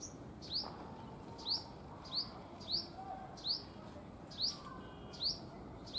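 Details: Owlet calling in daytime: short, high, upward-sweeping chirps repeated roughly every second in a steady series, over a low background hum.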